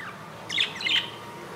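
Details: Newly hatched budgerigar chick in its nest on its second day, hatched 15 July 2018 at 2 AM and about an inch long; two thin, high squeaky chirps in quick succession over quiet background hiss.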